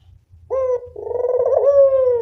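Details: Brief lure call of a local spotted dove: a clipped opening coo followed straight away by a longer, pulsing, mellow note that lifts slightly before fading, over low rumbling.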